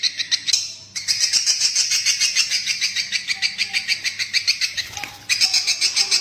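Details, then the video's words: Swiftlet roosting lure call: a steady stream of shrill, pulsed chirps, roughly three each second, broken by short gaps near one and five seconds. "suara panggil burung walet untuk mengginap kan"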